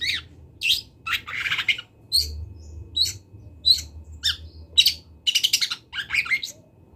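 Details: Long-tailed shrike from Kendal, recorded as master song for tutoring other birds, gives harsh scratchy bursts and short squawky notes spaced irregularly, with a fast chattering run near the end.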